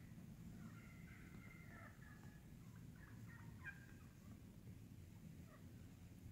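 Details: Wild turkeys in a flock, feeding and very vocal in the woods: faint, scattered clucks and soft purring notes over a steady low rumble of background noise.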